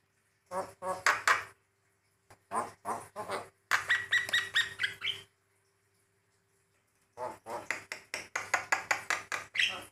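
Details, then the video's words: Varied song from a male white-eyed Javan myna, meant to make other mynas respond quickly: clustered bursts of gravelly, rasping notes separated by silent gaps of one to three seconds. "Burung jalak kebo gacor, variasi suara"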